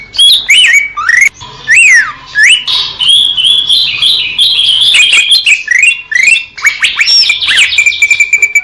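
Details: Greater green leafbird singing a rich medley of looping whistles, rising slurs and chattering phrases, flowing almost without pause and ending in a rapid series of short notes.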